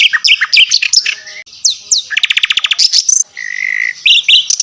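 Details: Varied high songbird song from a tutor track mixing Javan white-eye and mugimaki flycatcher, used to train caged birds: quick chirps and downslurred whistles, a short buzzy rattle of rapid notes, then a long level whistle and scattered tweets.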